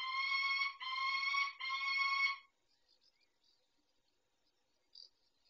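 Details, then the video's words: Peregrine falcon, a male tending the females at the nest, recorded 23 May 2021 at 19:40: three harsh, drawn-out, richly harmonic calls in quick succession over about two and a half seconds, followed by near silence with faint high chirps. "Sokoły - Grześ dba o dziewczyny"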